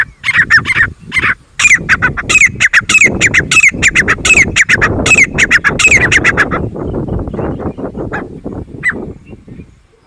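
A grey francolin gives loud, harsh squawking notes in a rapid, ringing series for about six seconds before it fades into rustling background noise.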